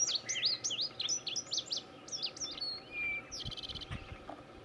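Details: A male indigo bunting at Gamelands 095, Butler County, Pennsylvania, sings a quick run of high, sweet sweeping notes, many given in pairs, ending in a brief buzzy flourish over a faint low hum.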